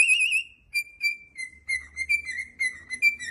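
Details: Cockatiel whistles: a loud quavering note, then a string of short clear whistles at steady pitch, some slurring downward, repeated about three per second.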